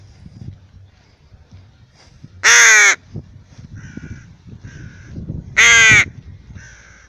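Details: A rook kept as a pet calls on a walk: two loud, grating caws about three seconds apart, with softer, short nasal calls in between and light shuffling sounds.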